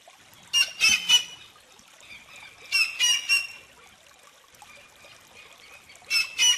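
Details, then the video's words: Whistling heron (Syrigma sibilatrix), a South American heron living in groups or pairs: loud harsh calls in triplets of quick bursts, one set near the start, another mid-way, a third at the end, with faint thin tones between. "Canto de la Garza Chiflona"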